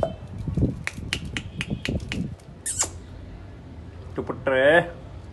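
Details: A pet rose-ringed (ringneck) parakeet talking in Urdu chatters in short, clipped, speech-like syllables, then gives a brief, harsh, wavering squawk near the end.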